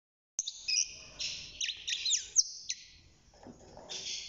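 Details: Young caged male European goldfinch, six months old and hand-reared, beginning to sing: bursts of high twittering notes with sharp downward slurs, broken by gaps, then a buzzy sustained passage at the end.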